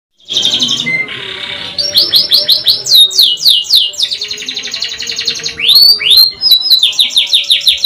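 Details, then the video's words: Canary in strong, lively song described in the ngerol nembak style, meaning long rolling trills and sharp notes. It opens with buzzy rolled trills, then gives loud descending whistled swoops repeated several times a second, a sustained rattling trill, and further falling, rapidly repeated notes. "KENARI GACOR PANJANG NGEROL NEMBAK | CANARY SINGING"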